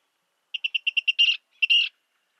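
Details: Virginia rail, eastern North America, giving a run of six sharp ticking notes that run into a rough buzzy burst, then a short pause before one more tick and a second grating buzz.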